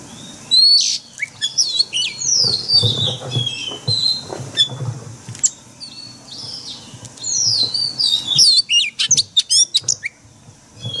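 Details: Oriental magpie-robin giving forest-style song used to train caged birds; scattered sweeping whistles and chatter, softer in the middle, then a burst of rapid clicking and whistled notes near the end.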